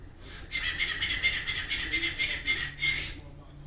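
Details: A pet cockatiel sings in a playful duet with its owner, a fast run of bright, chattering notes repeated several times a second.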